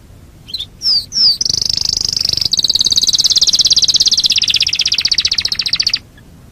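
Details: Canary singing fast: two quick downslurred chirps, then a long unbroken high buzzy trill of rapidly repeated notes lasting several seconds before stopping abruptly.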